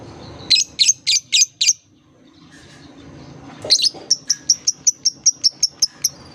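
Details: Lovebird therapy song for coaxing young lovebirds that are learning to sing: five loud harsh squeaks, a short lull, then a quick regular series of sharp high chirps.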